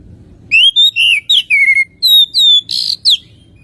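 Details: Oriental magpie-robin song used to coax other birds to sing: varied whistled notes, some rising and some falling, followed by a short harsh burst and a final sliding whistle.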